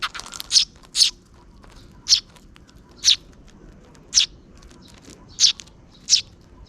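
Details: Two sparrow chicks begging while a parent bird feeds them near dusk in a park: sharp, high, thin chirps, about eight in under seven seconds, irregularly spaced, over a quiet background.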